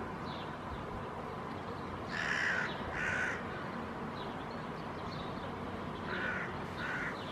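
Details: A Hooded crow pair reacts to a big dog, flying close to it while protecting a fledgling that cannot yet fly. They give harsh, hoarse caws in pairs, two near the two-second mark and two more later, over steady background noise.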